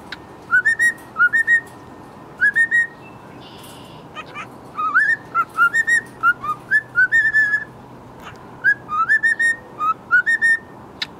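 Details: Several cockatiels in an aviary give short, rising whistled notes in quick, overlapping bursts while whistling, chirping, head-bobbing and preening.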